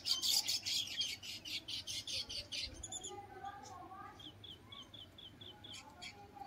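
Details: Many baya weavers at their nests on a date palm inside a riverside resort on the Ganga at Shantipur keep up a dense, wheezy, sizzling chatter, then short high chirps several times a second; a person speaks faintly.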